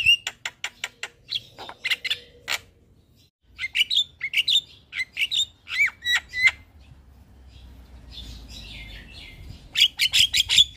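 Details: Javan myna singing in the morning for use as a master recording for caged birds: repeated sharp clicks, whistled upslurred and downslurred notes, a quiet gap, then a closing run of high whistles.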